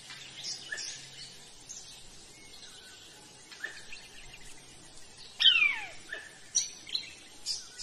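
Bar-bellied pitta giving one loud, sharply falling whistle, amid scattered high chirps and short notes from other forest birds.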